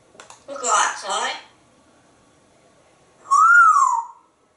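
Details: Pet parrot in conversation with its owner says a short two-part phrase, then after a pause gives a clear whistle that rises and falls.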